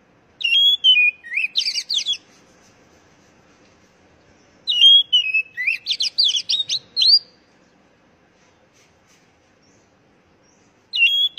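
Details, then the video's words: Oriental magpie-robin singing, played to prompt captive birds into frequent song. Two bursts of about two and a half seconds each are separated by silence. Each starts with slurred whistles, then turns into rapid, varied up-and-down trills. A third phrase begins at the end. "Pancingan Burung Kacer Agar Cepat Gacor"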